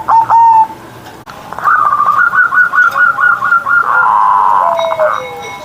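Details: Morning song of a kept zebra dove: a single coo, then a long run of rapid, evenly spaced bubbling notes held at one pitch, ending with a lower gliding whistle-like note.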